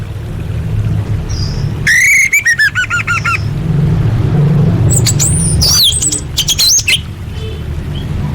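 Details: A female orange-headed thrush calls for males, a lure for birds that have stopped singing. A harsh, stuttering buzzy series comes first, then high, sharp whistled notes, all over a constant low rumbling hum.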